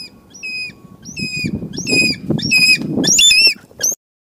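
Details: A light-morph changeable hawk-eagle, trying to hunt a goliath heron, gives a run of shrill, high whistled notes that grow louder and closer together, with a low rumble of wind underneath.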